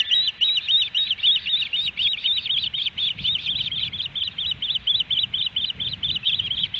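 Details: Ospreys at a Missoula, Montana nest in Hellgate Canyon, 13 July 2018, on a fish-delivery day; a dense, overlapping stream of high whistled chirps, slightly softer and busier, over a steady low rumble of background noise.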